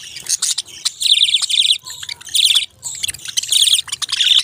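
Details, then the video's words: Lively budgerigar chirping: overlapping bursts of fast, high warbling chatter lasting about a second each, with short quiet breaks and clicks. "Beautiful Chirping Sounds relaxing Voice"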